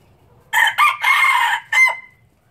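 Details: Pure Laos red junglefowl breeder, 2016, giving a loud crow: four harsh bursts within about one and a half seconds, a short opening note, a second note, a long sustained middle phrase, then a final note that trails into a thin fading whistle. Quiet background.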